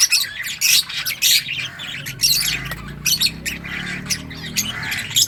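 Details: A group of lovebirds in assorted colours giving rapid, shrill squawks and chirps, sharp clicking notes packed into repeated bursts roughly every half second, several birds calling at once with no other clear sounds.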